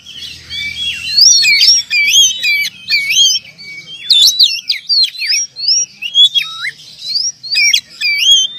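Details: Champion oriental magpie-robin that has won contests sings steadily, with quick sweeping whistled notes, twisting slurs and scratchy chirps tumbling in a near-continuous high-pitched run.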